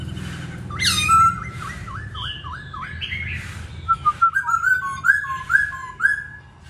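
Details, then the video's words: A masked laughingthrush sings the "Bắt cô chói cột" song: a run of clear, looping mid-range whistles, then quicker sliding notes, with a low hum underneath. "Khướu hót Bắt cô chói cột"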